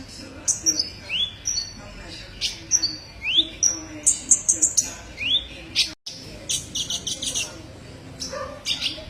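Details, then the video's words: Song of the olive-backed sunbird (kolibri ninja) for tutoring songbirds: high, sweeping upslurred whistles alternating with sharp chirp bursts and a brief dropout. "masteran burung Kolibri ninja"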